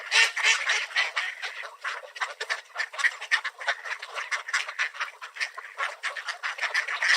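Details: Swarm of mallards crowding in at a park while being fed bird seed, a feeding frenzy: dense, rapid overlapping quacks and chatter, several per second, without pause.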